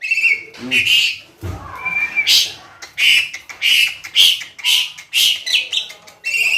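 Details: Asian pied starling, a tame bird in full song, giving loud harsh squawks and short whistled notes in bursts about every half to one second, with a brief low thump midway.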